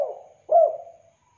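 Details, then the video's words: Spotted dove calling clearly, a recording meant for luring and tutoring doves: a fading low coo, then one louder rounded coo that rises slightly and trails off, followed by quiet. "Tekukur Derkuku Deruk Gacor Suara JERNIH"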